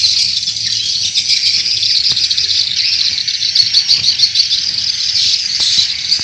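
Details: Swiftlet calls used as a lure for swiftlet farming in Indonesia. An unbroken stream of shrill, overlapping chirps, with occasional faint clicks in the background.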